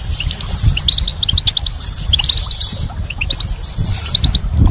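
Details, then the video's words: Spring goldfinch song: continuous rapid tinkling and twittering with high buzzy trills, a short pause, then the chatter resumes, over a low rumbling backdrop. "Goldfinch's Song"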